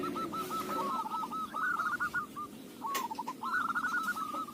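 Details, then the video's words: Local zebra dove recorded as lure song, with rhythmic, rolling cooing notes in a long trilled phrase, a short pause with a sharp click, then another bubbling phrase, against low background rumble. "Perkutut lokal suara cocok buat pancingan"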